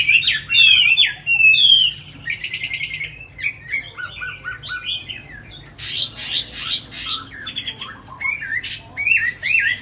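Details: Chinese hwamei, tame and caged in Hanoi, Vietnam, said to sing very well: fast whistled trills open, then mixed chattering notes, harsh buzzy bursts and looping whistles, with a man speaking softly.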